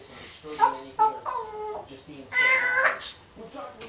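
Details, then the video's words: Pet female African grey parrot, one year old, blabbering indoors in mimicked human words; a few short rising and falling syllables with bright tonal overtones, loudest near the start and in a longer burst midway. "1 year old African Grey Parrot, Nala, just blabbering"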